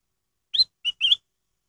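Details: Black-headed bulbul song used as a lure to set other birds singing: one crisp three-note whistled phrase, a rising slur, a short steady note, then a longer warbled note, with no other sounds.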